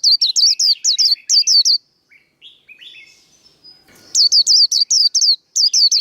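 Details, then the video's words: Fighting song of a Japanese white-eye, meant for training cage birds: clusters of bright, high, down-slurred whistles in quick groups, a soft lower chattering interlude, then renewed rapid bursts of the same notes. "Vành khuyên líu đấu. Kích lửa vành khuyên líu đấu"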